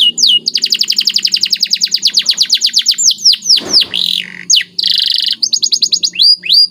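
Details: Lively white canary training song with special phrasing: a long fast trill of sharply falling whistled notes, a brief harsh burst, a steady buzzing note, then quick upswept chirps.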